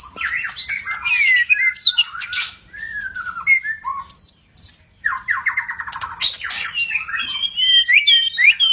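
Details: A white-rumped shama of the Medan type pours out a continuous, varied song of fluty whistles, rising and falling slurs, a rapid stuttering run and sharp high notes.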